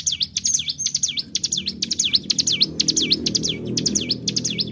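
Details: Ciblek gunung, the bar-winged prinia, singing a lively lure song in the bren pull style: high sharp notes that dip and rise again, delivered in quick uneven bursts above a faint low rumble.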